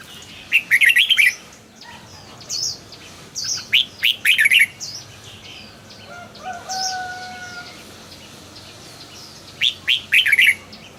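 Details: Song of a caged red-whiskered bulbul: clusters of fast, clear, slurred whistles, several phrases spaced by short gaps, with thin drawn-out tones behind them midway.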